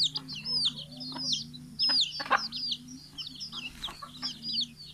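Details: Chickens of mixed sizes being fed after leaving the coop one morning, 6 October 2018, Fulbaria, Mymensingh; sharp high peeps slurring downward in clusters, soft low clucking underneath, a faint steady hum throughout.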